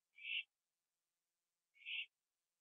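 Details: Late-night owl on a porch with a gopher, 21 September 2011, later flying to sit with a second owl in a tree; two brief harsh screeches roughly one and a half seconds apart.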